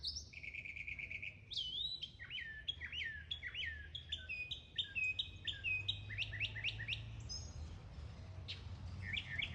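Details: Mockingbird singing while mimicking other sounds: a rapid, varied run of short whistled and buzzy phrases, many sharply rising or falling, shifting pitch every second or so over a low hum of background noise.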